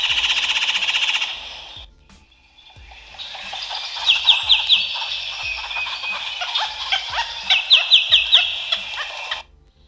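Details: A Red-bellied Woodpecker in Florida gives loud, high, rolling calls and quick bursts of sharp notes; a rushing hiss comes first, with a faint steady beat underneath.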